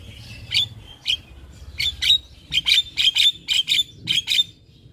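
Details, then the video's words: Master song of a Javan myna, played to tutor young birds: sharp, high, clipped notes, single at first, then in quick pairs and trios, over a quiet low hum. "Pancingan Dan Masteran Jalak Kebo Full isian Pas Buat Jalak Kebo Muda"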